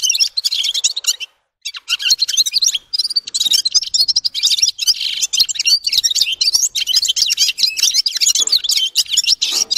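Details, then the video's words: A red-fronted serin delivers a dense, continuous stream of high chattering trills and squeaky notes, pausing briefly after about one second. "Gulsir Singing (Seriniis pusillus) Пение Птицы (Yurok Qushi Red-capped signing) G'ir-G'ir"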